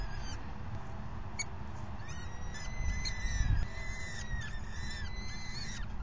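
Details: Falcon at the nest during the fifth feeding of the day, 4:40 PM on May 9, 2020: thin, high, drawn-out wailing calls with gently arching pitch, starting after a few brief chips, over steady low rumbling background noise.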